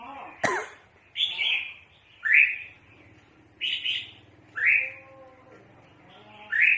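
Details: Red-whiskered bulbul calling often, its calls used for trapping birds: loud, bright, slurred chirps repeated about once a second, each a short downward-sweeping note, after an opening sharp clatter, with a quiet low hum behind.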